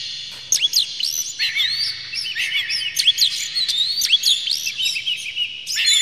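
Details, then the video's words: Oriental magpie-robin song meant to set other magpie-robins singing, a busy tangle of bright whistles, downward slurs and scratchy twitters that rise to a loud flourish at the end. "dijamin kacer langsung ngamuk2 dengar kacer ini bongkar emosi buka ekor ngobra full isian"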